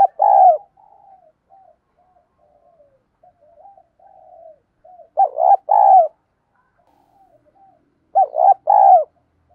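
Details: Spotted dove lure coo in the 'thổ đồng' voice style, used to stimulate newly caught birds to coo: three loud two-note phrases spaced a few seconds apart, with soft, low murmured notes between them.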